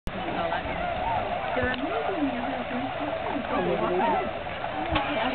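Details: Tundra swans at a migration stopover, Aylmer Wildlife Management Area, 15 March 2009; a flock gives overlapping wavy, bugling calls that rise and fall in mid pitch, with steady background murmur throughout.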